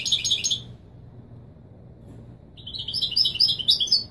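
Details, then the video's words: A European goldfinch sings the Moroccan Widani Marrakchi style for tutoring young birds: a brief high twitter, a quiet gap of nearly two seconds, then a liquid, rising and falling string of sweet, quick notes. "تغريد الويداني المراكشي الأصيل لله يبارك لتسميع و تلقين الفراخ"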